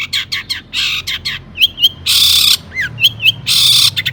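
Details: Long-tailed shrike singing excitedly as a lure to make other shrikes respond: loud harsh hissing bursts alternating with little wavering whistled notes and quick rattling chatter.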